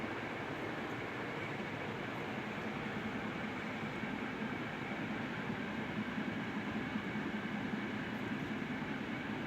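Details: Continuous even rumbling noise, like a passing train or machinery, fills the recording with no animal voice.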